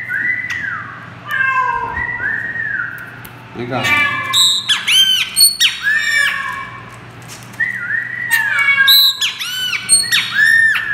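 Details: Chopi blackbird (Gnorimopsar chopi) mimicry song: loud, clear whistles and rich squawky notes imitating a great kiskadee.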